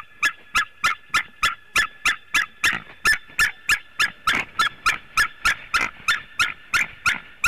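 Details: Yelping calls of a white-tailed eagle at the nest, captured by a Latvian nest webcam in 2018: a long, steady run of about twenty-five harsh, barking notes, around three each second, with no pause.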